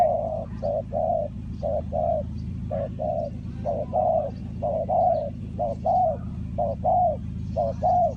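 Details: Spotted dove cooing at a trapping site in Ninh Thuận. Brief note and longer coo pairs repeat steadily about once a second over a constant low droning hum.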